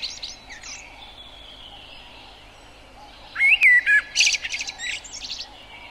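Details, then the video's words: A singing blackbird starts faint and distant, then gives a louder, mellow whistled phrase that breaks into a rapid series of high, scratchy chattering notes. "O Canto do MELRO PRETO (Turdus Merula) Bird Song - Blackbird, Mérula"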